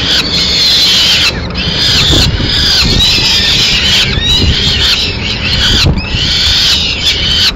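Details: Late-afternoon peregrine falcon scene in Madrid, 30 April 2016, with the female bringing pigeon remains; loud, screechy, continuous wailing calls broken by short pauses, traffic rumble beneath.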